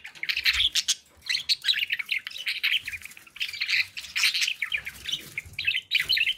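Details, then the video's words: Pet budgerigars in a happy mood chirp almost without pause: bright, buzzy warbles and quick twitters packed into dense bursts, a few clicks and thumps underneath. "happy budgie sounds"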